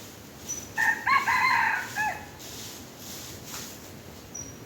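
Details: Red junglefowl lured with a domestic chicken, a single crow lasting about one and a half seconds: a harsh, ringing phrase in several broken segments, ending in a short falling note, against a quiet, hissy outdoor background.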